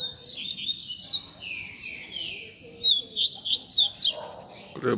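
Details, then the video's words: Rusty-collared seedeater singing a tutor song for teaching young birds: long run of high warbled, sliding whistles rising and falling, ending in a quick trilled flourish and a brief noise. "COLEIRO PROFESSOR APRENDIZADO"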